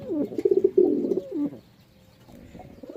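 A pigeon gives a low, throaty rolling coo with a quick burst of pulsed notes, then falls quiet; faint background hum follows.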